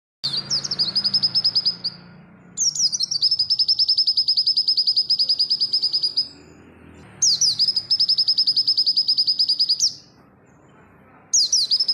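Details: Oriental white-eye song used as a training recording for other birds: three long bursts of rapid, high, evenly repeated notes, each lasting two to three seconds and separated by short pauses, over a faint low hum.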